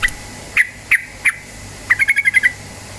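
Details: Yellow-vented bulbul lure recording for stimulating song: three spaced, sharp chirps, then a brisk burst of about six rapid chirped notes that stop abruptly.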